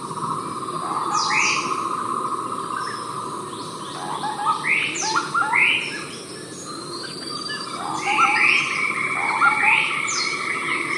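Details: Javan scimitar babbler at Ijen, East Java, Indonesia, amid a busy dawn-like chorus: several rising slurred notes mixed with sharp downward chirps from other birds over a steady insect drone.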